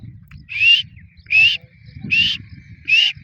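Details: Female grey francolin calling: four short, bright, slightly rising notes, evenly spaced about every 0.7 seconds, each strong against a low background rumble.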